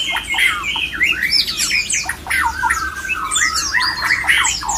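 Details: Breeding-condition song of a male white-rumped shama, meant to draw other shamas into mating mood: loud, continuous medley of whistled slurs, squawks and twittering notes.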